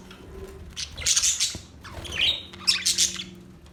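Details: A few bursts of high budgie chirps and a rising squeaky whistle, spaced by quieter stretches with a faint low hum in the background.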